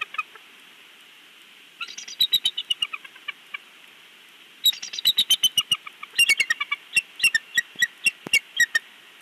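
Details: At a Big Bear nest, seen on a live nest cam, the father bald eagle gives shrill, staccato chattering: two long runs of quick piping notes, about four per second, with dry clicks mixed in.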